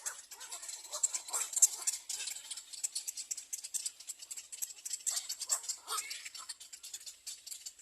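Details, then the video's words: Little egret chicks at nest number three screaming for food: a dense, dry rattling chatter of rapid clicking pulses, high-pitched and continuous, with irregular louder bursts. "Baby bird little egr screaming for food"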